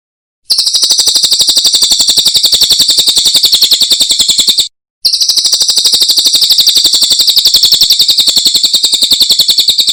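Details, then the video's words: Cililin singing a masteran, a training song for cage birds: a rapid, high trill of machine-like repeated notes in two long bursts separated by a brief pause. "Masteran Burung Cililin"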